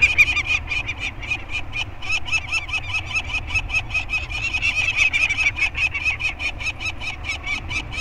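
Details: Peregrine falcons on Anacapa Island during banding day at a scrape holding two 30-day-old chicks, one male and one female, with the parents around. Fast, continuous, raspy cackling runs throughout, several notes per second, with faint low rumble.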